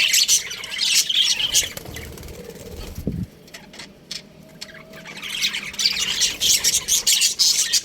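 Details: Baby budgies in an aviary chirp and squawk in a thick chorus that drops to a quieter lull midway, a soft thump, then the noisy chatter returns.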